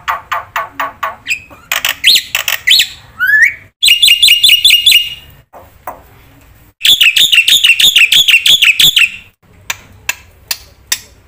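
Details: Black-winged myna singing with a full 'isian' repertoire, used as a lure and master to prompt stalled birds. Rapid clicking ticks open, then harsh chattering bursts, a rising whistle, a long loud run of sharp repeated chips and scattered clicks.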